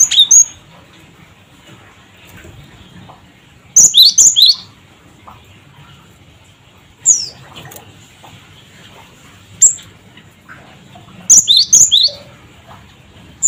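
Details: Cinereous tit (gelatik batu) 'cret cret wucit' calls used to provoke other birds: three clusters of shrill, clipped whistles separated by long quiet stretches, with single isolated notes between.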